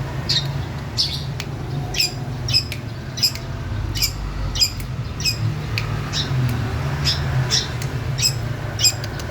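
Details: Rasping, squawky notes from a female long-tailed shrike in full voice, East Java, come in an uneven series about twice per second, some doubled, with a constant low rumble behind.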